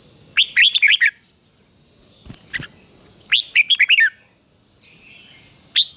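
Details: Red-whiskered bulbul song used to coax a newly caught wild bird into singing: two short clusters of sharp warbling notes separated by a quiet gap, then a single late note, with a constant high whine behind.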